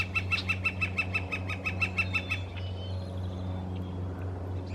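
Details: A red-shafted northern flicker in British Columbia calls on a west coast morning full of birdsong: a fast, even run of about fourteen loud, ringing 'wik' notes over two seconds, then stops; a steady low hum and faint bird notes continue underneath.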